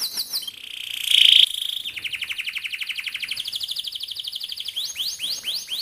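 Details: Rolling canary song played to teach young birds to sing: brief sweeps, a loud sustained whistled note, then a long rapid trill stepping upward and ending in quick upward-curving slurs.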